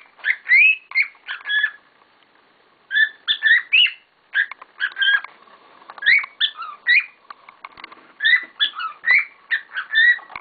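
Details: Pet cockatiels in full voice: a steady stream of sharp, whistled chirps and upswept notes in close runs, with one brief quiet spell near the start.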